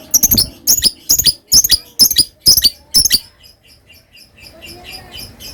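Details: Lovebird giving a series of loud, sharp, high chirps in pairs, roughly two per second for three seconds, then fading to soft, distant chatter.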